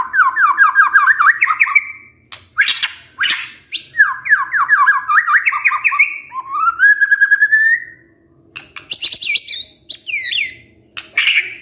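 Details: White-rumped shama kretekan to rouse emotion: fast series of clipped whistled notes in stepped runs, a long rising slurred whistle, then sharp high chattering and rattles over a faint low hum.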